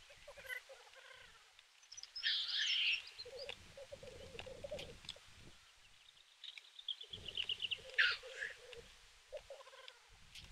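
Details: Lekking black grouse fighting at the Kuusamo lek, May 2021, snowy ground: a continuous low bubbling chorus with two rasping hissed bursts, one early and one later, plus a thin rattling trill.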